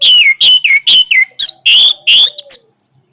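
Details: Orange-headed thrush in powerful voice, pouring out about ten loud, rapidly repeated whistled notes that dip and swoop, ending on a bright, high whistle, then silence.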